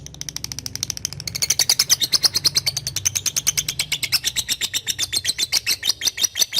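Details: Lovebird giving Indonesian ngetik calls toward a rival, recorded to train young birds: a fast, continuous train of piercing, raspy clicks that builds in loudness after the first second and holds steady.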